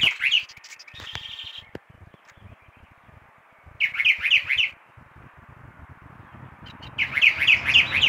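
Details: Early-morning song of a chalk-browed mockingbird at 6 a.m.: short bursts of quick, repeated chirping notes at intervals of a few seconds, with quiet background noise between them.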